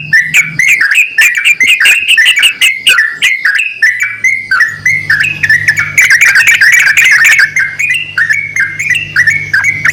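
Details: Yellow-vented bulbul male and female calling to each other with fast chattering phrases and short whistles in quick succession, over a faint low hum.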